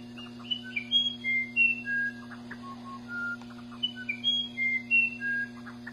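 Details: Musician wren song of flute-like whistles that step between high and middle pitches, broken by quick rattly, gurgling notes, phrases following closely; a constant low hum underneath.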